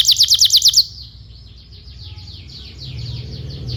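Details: Canary song used to train young canaries to sing: a fast bright trill of about eight rapid notes, then fainter sliding notes over a steady low hum.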